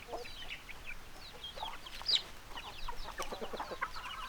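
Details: Backyard chickens give a busy stream of short high chirps that sweep up and down, with a few lower clucky notes. One louder descending peep stands out near the middle.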